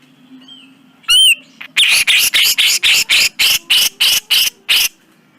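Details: Masteran recording of grey-cheeked bulbul (cucak jenggot). It opens with a faint whistle and a loud slurred note, then gives a steady run of harsh, rasping chips, roughly three per second.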